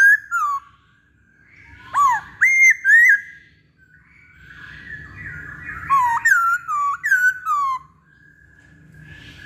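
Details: Masked laughingthrush (poksay Hongkong) in a pancingan recording: clusters of short, sharp, whistled notes that dip and rise, given in quick groups of three to five, with quieter whistling between them.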